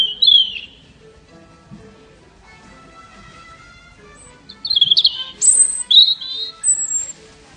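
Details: Robin in song at a garden centre, opening with a sweet high warble, then after a pause a rapid run of varied squeaky, shimmering notes and thin whistles, quiet low murmur underneath.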